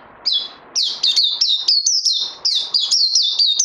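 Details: Songbird needing more training after Covid 19, 18 May 2020: a loud string of sharp, high whistles, each dropping in pitch, delivered about three per second with short breaks between runs.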